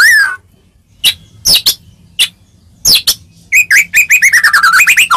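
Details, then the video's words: White-rumped shama singing to make rival shamas answer: a falling whistle, scattered sharp high chips, then a rapid series of rising whistled notes toward the end. "Suara Merdu Murai Ini Selalu Berhasil Buat Murai Apapun Langsung Nyaut"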